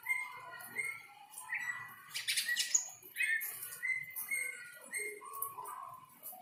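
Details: Greater green leafbird singing in breeding condition after bathing in the rain: varied clear whistled notes, some rising and some falling, mixed with loud harsh chattering bursts midway. The notes are delivered in an irregular, lively sequence.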